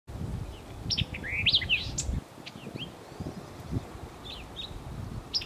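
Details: White-eyed vireo at Talbert Nature Preserve, Costa Mesa, Orange County, California, giving a quick, emphatic phrase of sharp chips and slurred high whistles, then scattered fainter notes, over a low wind rumble.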